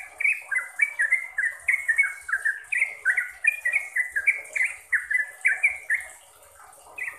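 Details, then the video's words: Sooty-headed bulbul singing, a recording meant to train caged birds into frequent, rapid song: a lively run of bubbly whistled notes, each sliding downward, about three per second, then a short pause before one more phrase. "BANYAK Trucuk yang jadi GACOR dan ROPEL berkat suara TRUCUKAN ini"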